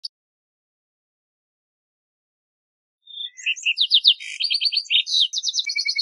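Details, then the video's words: Lark sparrow song: after three silent seconds, a varied jumble of clear notes, fast trills and buzzy bars, mostly high-pitched, with quick repeated pulses near the end. "Lark Sparrow Singing! Lark Sparrow Calling! Sound! - Gorrión Arlequín Canto - Chondestes Grammacus"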